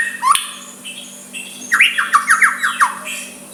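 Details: Soft white-rumped shama song aimed at a rival: an opening upslur, quiet moment, then six or seven quick, evenly spaced falling whistles, over a low hum.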